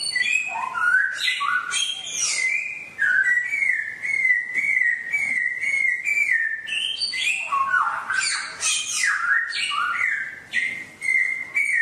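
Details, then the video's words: Extended wild songbird song for daily listening by caged birds: mixed opening notes, then a long series of similar level whistles repeated about every half second, followed by a burst of varied, tumbling notes. "MUỐN CHIM HÓT HAY| MỖI NGÀY 10 PHÚT | TỰ NHIÊN CHIM HÓT GIÀ RỪNG"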